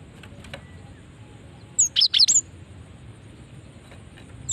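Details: Female cinereous tit call used to draw in other birds, a single brief burst of four very high, sharp chirps in quick succession midway through, otherwise quiet with low background hiss.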